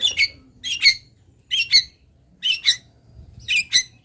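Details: Cendet, the long-tailed shrike, from Pati, Indonesia, in a master recording of its fill-in song. Paired harsh, squawking notes arrive in four groups about once a second, each pair ending in a strained higher rasp.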